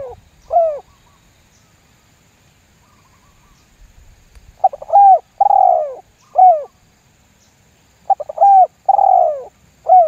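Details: Spotted dove lure call in the 'lambung guk' style, used to draw other doves into calling: a single coo, then after a pause two full phrases of stuttered short notes leading to a long, falling, rough coo and a clipped final coo.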